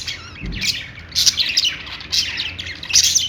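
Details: Happy budgerigars chirp and warble in short, bright bursts, with scratchy squeaks stacked closely together and brief pauses between clusters.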